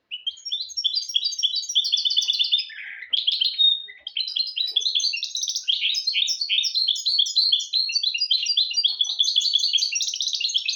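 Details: Mule bird, a goldfinch crossed with a canary, singing to tutor goldfinches and canaries. Over about eleven seconds it keeps up an unbroken stream of rapid, high, twittering notes, broken once by a lower buzzy note.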